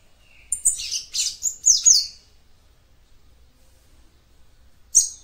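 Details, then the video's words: Female seedeater (papa-capim) singing to stimulate the male: a quick burst of about five high, thin, chirpy phrases sliding downward, then a silent pause of nearly three seconds before one last sharp note. "CANTO DE FÊMEA PAPA CAPIM PARA ESQUENTAR SEU MACHO"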